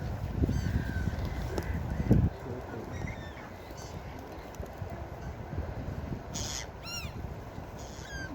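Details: Beach gulls calling: after several seconds of rushing surf, a burst of bright, descending cries near the end, followed by one more short call.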